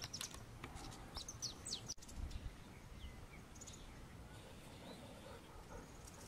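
Long-tailed tyrant calls: a burst of short, high, thin chirps, then scattered sharper notes over a steady low outdoor rumble.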